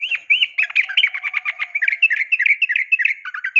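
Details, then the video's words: Female sooty-headed bulbul's morning call to attract males. A continuous, rapid chatter of bubbly, looping whistles and chirps runs without a break, lively and varied in pitch. "suara panggilan pagi bikin emosi , semua burung trucuk terpancing ikut bunyi gacor dan ropel panjang"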